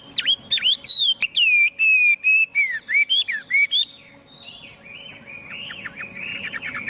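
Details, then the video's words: Chinese hwamei singing: loud whistled phrases with sharp upward and downward sweeps, repeated in quick bursts for about four seconds, then softer, lower-pitched warbled notes that fade out. "Tiếng chim hoạ mi hót không tạp âm"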